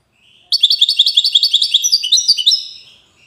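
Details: European goldfinch, Widani song style, Safi, Morocco: an unbroken stream of rapid rising chirps and down-slurred whistles lasting over two seconds, lively and twittering.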